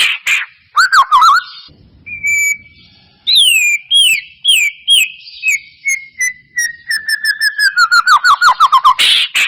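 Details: Shama song played as a lure for a caged bird that won't sing: sharp whistles, a long steady note, then a falling sweep into a long accelerating string of quick descending whistled notes.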